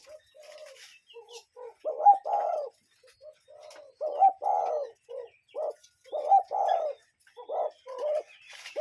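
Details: Cuckoo birds recorded live outdoors, giving soft two-part coos again and again, several overlapping with quieter short notes in between and faint chirping in the background.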